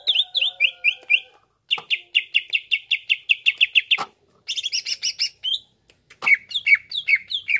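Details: Greater green leafbird song played to make other birds sing, mixing quick downslurred whistles, a steady run of repeated notes, harsh chattering bursts and more slurred whistles.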